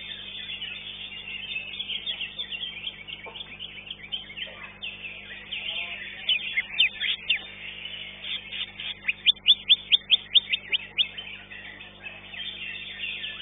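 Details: A greater green leafbird sings in full at a songbird contest, where it placed second. Its song is high, dense twittering with a quick run of sharp repeated notes near the end, amid other birds' chirping.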